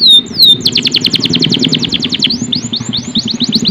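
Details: Canary sings a falling whistle, then a rapid series of sharp descending notes, slowing into rising slurred whistles, against a steady low rumble.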